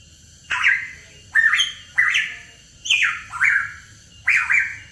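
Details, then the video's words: Hooded pitohui repeating a buzzy, downward-sliding squawk roughly every second, six phrases in a row, each starting abruptly and fading; low soft background hum. "PANCINGAN PITOHUI KEPALA HITAM"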